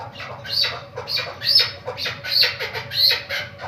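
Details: Caged female chukar partridge kept for hunting utters harsh, squawking notes, each a short downward-sweeping burst, repeated roughly twice a second over a faint low hum.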